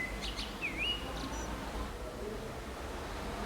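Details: A common blackbird singing on an antenna in the town centre of San Martín, Zamudio, Bizkaia, Spain, 23 April 2019: a short fluted phrase, a level whistle, a dipping, rising note and thin squeaks, over a steady low rumble.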